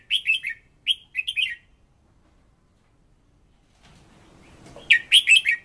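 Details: Red-whiskered bulbul song used to train a decoy bird: short, sweet whistled phrases of three or four notes, a long pause with faint shuffling, then a louder burst of phrases.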